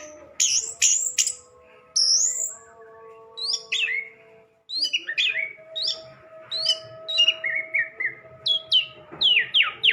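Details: Orange-headed thrush song with loud, sharply falling whistles and rapid chattering phrases, delivered in bursts with short pauses, over a faint steady humming tone.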